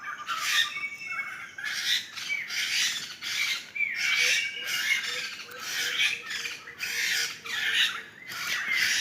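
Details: A forest flock of laughingthrushes in Sumatra calls with repeated harsh, hissing squawk bursts about once a second, while a soft series of short low notes repeats in the background.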